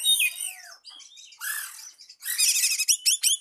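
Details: Oriental magpie-robin song meant to call a rival, opening with a falling whistle, then scratchy notes and a dense burst of rapid chirps ending in sharp upswept calls.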